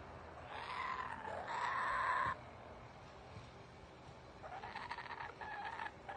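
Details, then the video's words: Kookaburra filmed in a back yard in Melbourne, Australia: two bursts of hoarse, chuckling laughter, the first rising into a loud cackle that breaks off, then a fainter, more distant burst of laughing notes, against a soft background hiss. "Kookaburra Call / Laugh / Talking"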